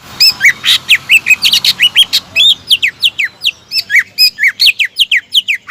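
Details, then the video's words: Lively greater green leafbird song meant to spur opponents into singing: an unbroken torrent of shrill, slurred whistles and chips, varied in pitch, delivered several per second throughout. "PANCINGAN CUCAK IJO GACOR AMPUH MEMANCING LAWAN AGAR BONGKAR MATERI"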